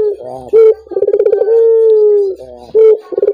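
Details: Collared dove calling to set other doves singing: a bright upslurred note, a throbbing series of quick pulses and one long, smooth, slowly descending coo before the pattern starts again.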